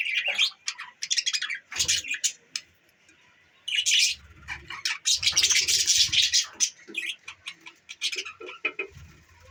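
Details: Pet budgies on December 14, 2023 make rapid, clicking chirps and scratchy warbles in uneven bursts, with a fuller stretch of busy chatter in the middle and light thumps underneath.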